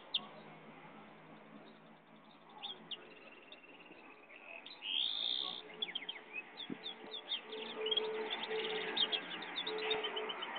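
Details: Pintagol, a goldfinch and canary hybrid, singing: thin, high chirps and quick twittering runs that begin sparsely and grow denser and louder in the second half, over a steady background hiss and a faint low hum.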